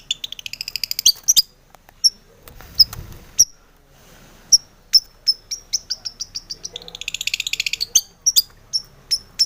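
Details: Long-tailed shrike in full song, used as a lure to provoke other shrikes into singing: scattered sharp high chirps and ticks, short rapid trills near the middle and end, with a brief rustling noise.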